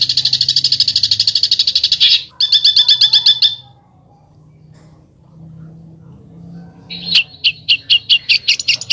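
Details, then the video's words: Besetan-style singing from a songbird: a rapid stream of sharp, piercing notes broken off after two seconds, a short second burst, a long pause, then another run of spaced, clipped notes. "SUARA BURUNG BESETAN"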